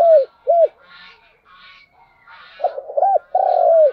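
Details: Decoy spotted dove calling to draw in and excite other doves, giving two arched coos, a pause of soft background twittering, then a rapid stuttered run of coos ending in a long, drawn-out descending coo.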